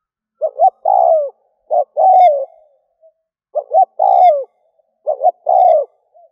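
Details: Decoy spotted dove calling to lure wild doves: four phrases in close series, each built from two short notes and a longer falling coo, clear and loud with no other sounds.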